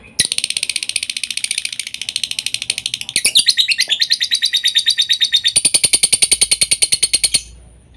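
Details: Lovebird song used to lure lovebirds into nonstop singing: long rapid run of buzzy, high chirps, changing timbre after three seconds and ending in a brighter, ringing trill.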